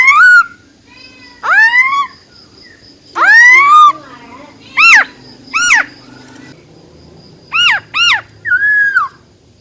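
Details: A female silver-eared laughingthrush sings wild-type song to excite males: rising harmonic phrases mixed with short arched notes, some in quick pairs, and ending with a level whistled note.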